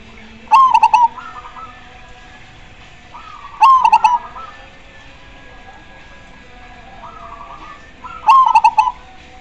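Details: Zebra dove, perkutut, in lively gacor song: loud bubbling coo phrases of rapid rolling notes repeated roughly every four seconds, with softer answering coos from other doves in between.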